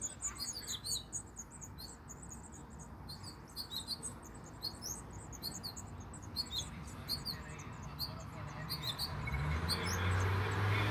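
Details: Being fed in Michigan, baby house finches give quick, shrill chirps repeated in bursts, and a rising rushing noise swells over the last seconds.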